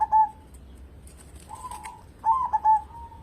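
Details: Local zebra dove singing as a lure for other birds: a short clipped coo, a soft purring run, then a clear phrase of sharp notes ending in a mellow trill, with a brief rustle partway through.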